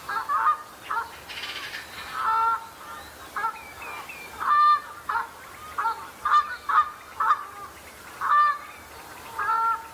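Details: Common shelducks in a flock sparring at the start of the breeding season, establishing pecking order and impressing potential mates; loud honking calls with a whistled edge come in separate bursts, about one every two seconds, over a quiet background.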